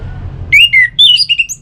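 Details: Orange-headed thrush song played to get kept birds singing: a fast run of varied whistled slurs, climbing step by step to higher, thinner notes, over low background hum.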